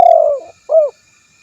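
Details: Spotted dove luring call aimed at a rival: the end of a long, gently falling trembling coo, followed after a short gap by one brief, rounded low coo.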